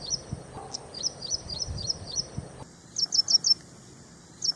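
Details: Ashy prinia singing a quick string of thin, high, clipped notes, roughly three per second, then a louder burst of four sharp chirps after an abrupt cut; faint low rumble underneath.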